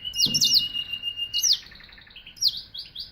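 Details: Canary singing a short bright passage of sharp downslurred notes and quick rattling trills, each burst repeated roughly once per second.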